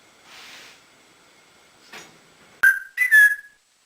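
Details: After a quiet, faintly rustling start, a pet male African grey parrot indoors gives a sharp click and then two quick upswept whistles that settle into a steady tone.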